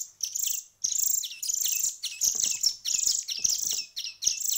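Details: Hand-fed songbird chicks after one week of hand feeding, giving rapid, high, rasping begging notes in dense bursts, each call sliding down, with short gaps and a few soft clicks between bursts.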